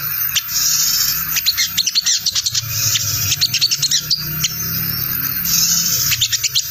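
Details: Crimson sunbird lure sound, the tangled-cassette 'ngriwik' chatter that wild birds answer: bursts of rapid, high, metallic ticking notes separated by short pauses, above a steady low hum.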